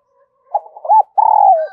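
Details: Spotted dove calling as a lure for wild doves: a few soft lead-in notes, a short arched coo, then a longer level coo that sags lower at the close.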